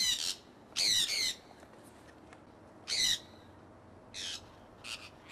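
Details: Early spring 2003 in Iowa: a flock of pet conures flying free. Scattered loud, scratchy squawks come in double bursts separated by gaps of about two seconds, with softer distant calls near the end.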